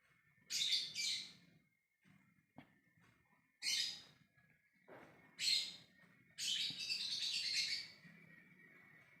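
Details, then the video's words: Lovebird giving its ngekek call to summon others: harsh, rasping bursts of screechy chatter, some doubled, spaced irregularly over about nine seconds, with a steady faint whine in the background. "Love bird ngekek memanggil yg lainnya"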